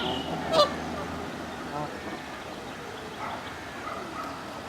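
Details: Canada goose (Branta canadensis) on the South Pond, Midhurst, West Sussex, England, gives a single short, nasal, rising honk early on, followed by low, steady background noise.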